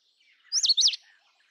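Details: Indian robin: one short, bright phrase of two or three looping, high whistled notes, lasting under half a second, in otherwise quiet surroundings.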